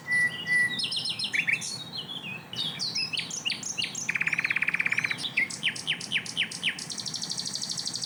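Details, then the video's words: Asian brown flycatcher in loud, dense song described as rapid-fire bursts: a jumble of high sharp chirps and clicks, a buzzy rattling trill around the middle, and a steady high trill at the end, over low background hum. "tembakan sikatan londo gacor"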